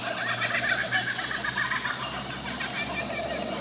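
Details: Laughing kookaburras in New South Wales, Australia, give a loud, rapid cackling chorus of harsh repeated notes, rolling on without pause, over a faint low background hum.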